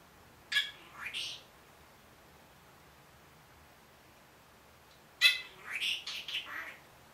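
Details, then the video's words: A one-year-old pet Senegal parrot talking indoors, mimicking phrases such as "good morning" and "I'll be back". Two short, raspy, speech-like bursts of a few syllables each come about four seconds apart, with quiet pauses between. "Talking Parrot"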